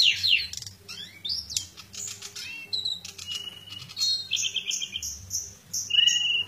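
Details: Pied bushchat in fight mode delivering a rapid, scratchy jumble of high chirps and sharp downslurred whistles, bursts packed closely with brief pauses, a low hum beneath.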